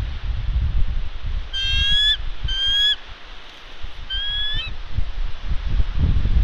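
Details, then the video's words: Bald eagle female on her nest on Santa Catalina Island, California, calling while harassed by ravens in February during egg incubation; three bursts of high, thin, squeaky chattering notes over low wind rumble. "Ravens Harass Thunder❗️She Calls, Wingslaps & Stays Put!"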